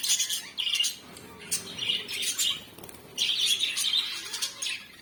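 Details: African lovebirds chirping in quick, shrill bursts separated by short pauses, the high squeaky notes clustered into rapid chattering runs.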